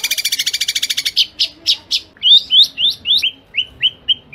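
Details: Long-tailed shrike in a fast, dense kuntilanak-style song with sparrow elements, a tutor recording for caged birds: a second-long rapid rasping trill, then spaced sharp chirps and slurred upward notes, about three per second.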